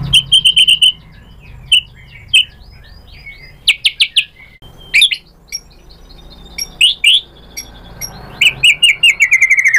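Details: Shama lure song to make a rival bird answer: clusters of sharp chirps and whistled notes in bursts, then a long run of rapid descending repeated notes toward the end, over faint background hum.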